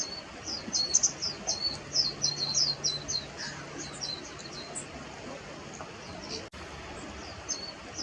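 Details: Warbling white-eye (Zosterops japonicus) giving various calls: a rapid, irregular run of thin, very high chirps and short twittering notes, several per second, over a low steady hum and faint background noise.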